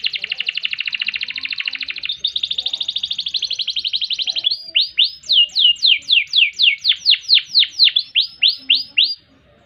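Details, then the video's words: Long canary song for master training: a buzzy rolling trill shifting pitch at two seconds, then a regular string of loud swooping downslurred notes, about four per second, ending abruptly. "Kenari Gacor Panjang Ngerek Ngerol Nembak Mantap Buat Masteran dan Pancingan | Bird Singing"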